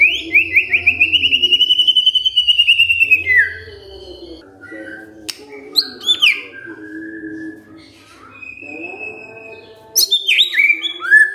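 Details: A white-rumped shama, roused by a lure recording, delivers a long rapid trill of rising pulsed notes, then scattered sharp chips and whistles before a final burst of high slurred notes; low hum early on.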